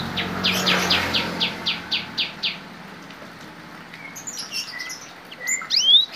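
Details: Cinereous tit in full song, trained with Bar-winged prinia song mixed in: a fast run of identical short sharp notes, about four per second, then scattered thin upward-swept whistles.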